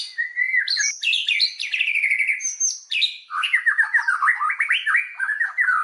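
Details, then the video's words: Shama lure song to excite other white-rumped shamas into full song; loud continuous cascade of whistled and trilled phrases, rising and falling quickly. "SUARA BURUNG MURAI BATU, PANCINGAN MURAI BATU BANGKITKAN EMOSI, AGAR BONGKAR MATERI"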